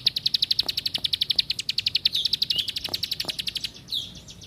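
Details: Rapid ticking trill of a plain prinia, bright high notes repeated at about eight per second for nearly four seconds, then breaking into a brief squeaky flourish before fading.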